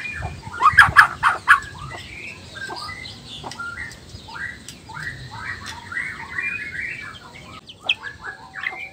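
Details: Male black-tailed white-rumped shama from Nias, singing to rile rival males: a few loud sharp notes open a softer, rambling sequence of varied warbled phrases over faint background hiss.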